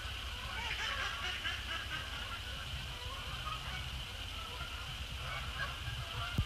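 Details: Canada Geese, resident and migratory, flying across a post-sunset sky to splash down on Sapsucker Woods Pond on December 2, 2017; faint, overlapping nasal honks in the first seconds, then softer scattered calls over a steady low rumble and a constant high hum.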